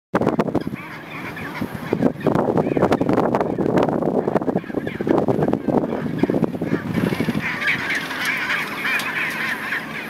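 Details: Gentoo penguin colony at Neko Harbour, Antarctic Peninsula, Antarctica: loud, harsh, honking brays overlap continuously in a dense chorus, with a few sharper squawks and wind noise underneath.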